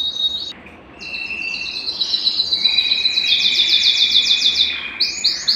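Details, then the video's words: A Belgian canary's song, meant to warm up male canaries and bring females into breeding condition: a fast, continuous high warble of trills and rolling notes, with sustained whistled tones and rapid buzzy runs. "Canto Para Esquentar Canário Belga e Foguear as Fêmeas"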